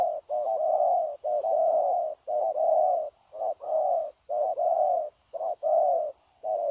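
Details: Spotted dove, newly trapped from the wild, keeps up steady, linked cooing on 9 January 2024; about eight low short-long coo pairs repeat roughly once a second, with background hiss.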